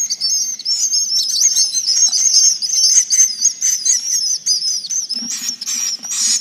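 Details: Swiftlets chatter in a dense, high twittering chorus of rapid chirps and short trills, overlapping continuously at a fast pace, with a faint low hum beneath; a recording used to lure swiftlets to roost.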